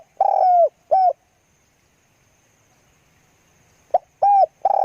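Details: Spotted dove used as a decoy bird, cooing in low, hollow, tonal notes: a long coo and a shorter one, a pause of nearly three seconds, then a quick clipped note followed by two more sustained coos.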